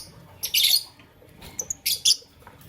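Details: Morning chirping from Fischer's and masked lovebirds: two loud, shrill, scratchy squawks, each a dense burst of high notes with a few short chips between them, over a quiet background.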